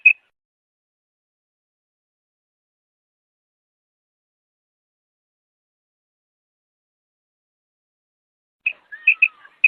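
A female quail gives one sharp, high note, then after a long silence a quick burst of four or five clipped, high-pitched notes.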